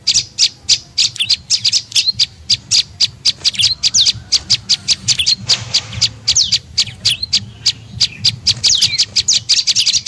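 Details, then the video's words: Tailorbird lure call, prenjak lumut, used to attract other birds. A busy, rapid series of piercing chirps mixes with a few slurred whistled notes, and keeps going continuously. "SUARA PIKAT BURUNG PRENJAK LUMUT"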